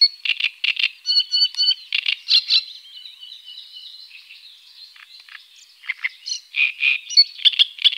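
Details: Great crested grebe with chicks, Tovačov ponds, Czech Republic, 2013–2014. Bursts of shrill, piping peeps and a few ringing notes, then a quieter stretch of thin twitters, then another lively run of high calls.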